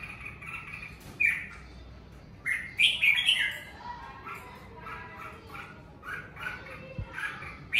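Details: Red-whiskered bulbul at home in the Covid season: clear, loud whistled phrases and chirping warbles delivered in separate bursts, some sharp and rising, with quieter chatter between them.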